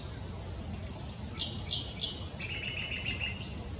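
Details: An Eastern yellow robin (Eopsaltria australis) at Hervey Bay, Queensland, calls with high, sharp chips at about three per second, then a brief thinner piping note, over a low rumble of background noise.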